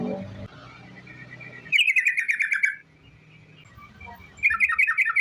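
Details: Sooty-headed bulbul giving a long rolling 'ropel' song used as a lure to make other bulbuls sing: two bursts of rapid, bright chattering notes, one lasting about a second, separated by a quiet gap with faint low murmuring.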